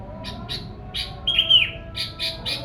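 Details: Sooty-headed bulbul singing, recorded to lure wild birds: quick high chirps followed by a brief fluted whistle, then more chirps, with a faint background hum.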